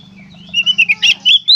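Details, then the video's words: Short gacor konslet phrase from an Oriental magpie-robin: steady whistled notes, a harsh burst midway, and a rising whistle at the end, after a low buzzing hum. "suara burung kacer gacor konslet"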